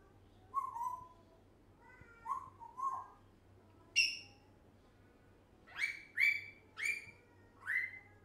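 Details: Year-old pet African grey parrot, talking non-stop, gives a run of clipped low whistles, a sharp click-like note, then a quick series of bright upslurred whistles.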